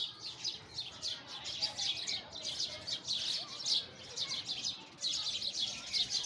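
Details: High, sharp chirps from a group of sparrows arrive in uneven bursts, dipping briefly before surging again.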